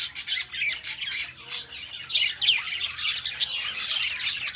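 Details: Two pet budgerigars: sharp, separate high chirps and squawks with short pauses, then a softer run of busy warbling chatter.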